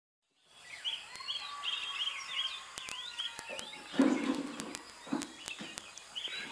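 Chestnut-headed bee-eaters give short, liquid chirps and rolling trills, overlapping as several birds call at once, with sharp clicks and some background noise.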